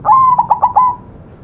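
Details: White zebra dove, one crisp song phrase from a tutor recording: a held whistled coo, then rapid beating notes, trailing off on a sustained tone; faint background hum.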